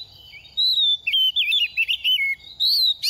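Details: Oriental magpie-robin, a semi-mature bird past two moults, shedding feathers during the moult season, singing loud whistled phrases that rise and fall. The notes come in quick bursts with short gaps, over a faint steady insect trill.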